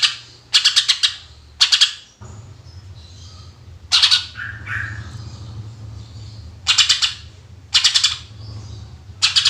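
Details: Greater green leafbird giving "tembakan" shooting bursts to lure other birds: short rattles of hard chips come in clusters, a quieter stretch midway carries a faint slurred note, and a low hum runs underneath.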